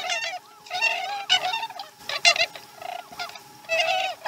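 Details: Osprey at a Chesapeake nest during a slow-starting morning feeding, dated 2019-12-12: bursts of shrill, chirping whistled notes in quick runs, broken by short pauses, over a steady electrical hum.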